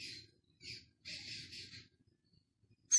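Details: Captive six-day-old Philippine scops owl chick at Prague Zoo, Thursday 13 August: three or four soft, raspy hissing bursts in quick sequence, a pause, then the start of a loud, piercing screech at the end.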